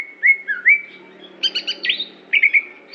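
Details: Greater green leafbird of the Aceh type, a competition bird: smooth rising whistles followed by fast buzzy trilled notes and a run of quick whistles ending on a high note.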